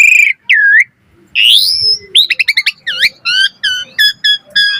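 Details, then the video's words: Asian pied starling singing actively with a full, varied repertoire, used as a tutor song for training other starlings: clear slurred whistles and a rising swept note, then rapid clicking notes and rippled, buzzy phrases. "Jalak Suren Gacor Full Isian Cocok Buat Masteran Suara Burung Jalak Agar Gacor Full Isian Mewah"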